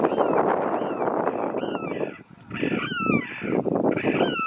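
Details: Sarus crane giving loud, harsh trumpeting calls in bursts, with strong harmonic notes that slide downward, a short lull near the middle, then more blaring calls.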